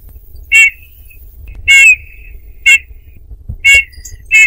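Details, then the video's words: Eurasian bullfinch uttering five loud, clear whistles, some drawn out into a flat trailing tone, over a low background hum. "chant de bouvreuils - song Pyrrhula - طائر الدغناش"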